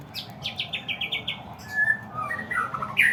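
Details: White-rumped shama song, used to stir up other shamas: a quick run of six or seven descending high notes at an even pace, then clear whistled notes and a sharp bright note at the end, over a low background hum.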